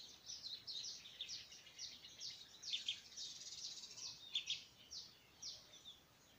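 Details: Streak-eared bulbul chicks: high, scratchy, buzzy calls repeated in quick bursts, several overlapping, continuing steadily with short gaps.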